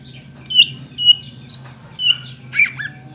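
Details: Greater green leafbird song used to coax other leafbirds into singing: five clear whistled notes about half a second apart over a low background hum.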